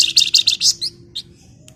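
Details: Female scarlet minivet calling for a male with a rapid string of shrill high chirps, about six in under a second, then a couple of softer, more spaced notes fading out over a faint low hum.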